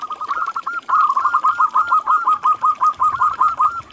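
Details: Local zebra dove singing: a fast, steady run of short rolling coos on an even mid pitch, nearly three notes a second, ending in slightly looser clipped notes, over a quiet background.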